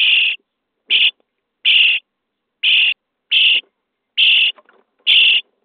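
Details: Starling nestlings in a nest box on day 23 calling for food during feeding: seven coarse, hissing-buzzy begging calls, each under half a second, spaced about every eight tenths of a second.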